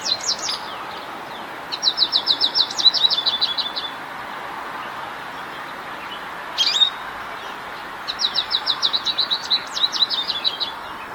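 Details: Morning song of an American Goldfinch perched in an apple tree: two bright bursts of fast, high, repeated twittering trills, each lasting about two seconds, separated by a short single chirp and quiet background hiss.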